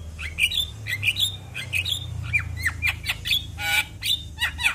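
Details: Javan myna song aimed at getting other mynas to sing: a steady series of squawky notes with whistled upturns and sharp down-slurred chips, repeated about twice a second, over a low hum.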